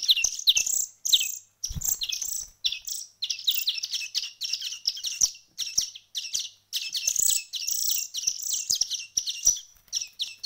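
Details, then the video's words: One week of hand-feeding on, young small birds chirping in high broken bursts separated by short silences, occasional soft knocks beneath. "كيف أصبحت فراخ العصفور بعد مرور أسبوع من التأكيل اليدوي"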